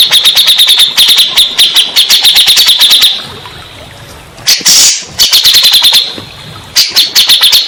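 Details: {'caption': 'Grey-cheeked bulbul lure for stressed birds that have stopped singing: long, rapid rattles of sharp high notes, a short gap with one harsh squeal, then further fast rattling runs.'}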